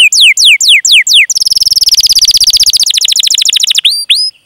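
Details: Canary's long rolling song, played to coax other canaries into singing: several down-slurred whistles, then a fast buzzy trill that gradually lowers in pitch, ending with two rising whistles.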